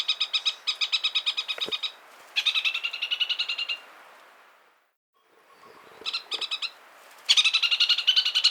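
A Chatham parakeet gives rapid bursts of high, harsh chattering notes, about a dozen per burst, separated by short pauses.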